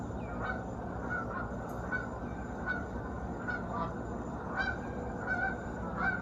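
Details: Geese in a flock flying over a lake in South Georgia at sunrise. Distant, faint nasal honks spaced roughly every half second to second, over a strong low rumbling background.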